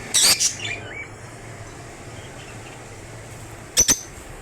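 African lovebirds give a pair of shrill, piercing shrieks at the start, then a quiet pause before two more sharp screeches near the end.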